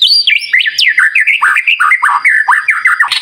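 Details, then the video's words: White-rumped shama lure song ('pancingan gacor') used to stimulate other birds: continuous fast medley of sweet whistled notes, sharp upward and downward slurs packed closely together without a pause. "Pancingan Murai Batu Gacor"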